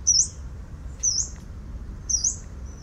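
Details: Yellow-browed warbler giving three thin, very high, upslurred "tsweest" calls about one second apart, over a low background rumble; recorded 10 November 2018.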